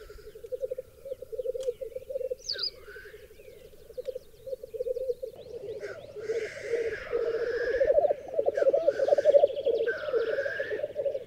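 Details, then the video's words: Black grouse cocks display before hens at a long-known lek on a raised bog in Berezinsky Biosphere Reserve: continuous low bubbling grows louder halfway through, joined by repeated harsh hissing sneezes. "Уникальный тетеревиный ток на заповедном болоте"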